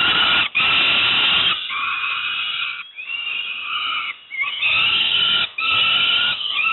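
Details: Young peregrine falcons at Moszna near Pruszków, Poland, being fed breakfast: harsh, wheezy, drawn-out screaming wails, each lasting about a second, repeated almost without pause with brief breaks between them.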